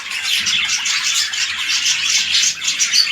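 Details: A breeding pair of red-eyed lutino budgerigars, a large male and a small female, keeps up nonstop buzzy chatter. Rapid scratchy notes and squawks run together without a break.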